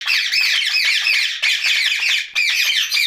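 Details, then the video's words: Rose-ringed parakeet talking at night: three bursts of rapid, harsh, raspy chatter. Each burst is dense and scratchy, with short pauses between them. "Night Talking parrot Mitthu Ringneck"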